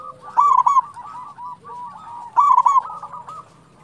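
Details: Local zebra dove in full song, played to lure and rouse other zebra doves: two loud, rapid, rolling coo phrases about two seconds apart, mixed with softer cooing and a brief low note.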